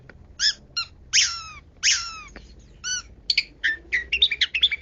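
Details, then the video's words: Long-tailed shrike, 'kaya rasa' style: harsh, nasal descending squawks with rich overtones, followed by a quickening jumble of short high chirps and whistles. "BURUNG PENTET 'KAYA RASA'"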